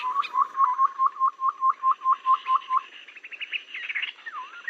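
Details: Babbler call used as a trapping lure: a regular string of short rising whistled notes, then a jumble of thin higher twittering and a dipping whistle at the end.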